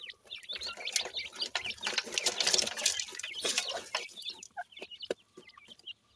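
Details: Pakistani dakhni teetar, or black francolin, chicks being fed in captivity: a loud mass of shrill peeps and rustling in the first half, then sparser calls and pecks.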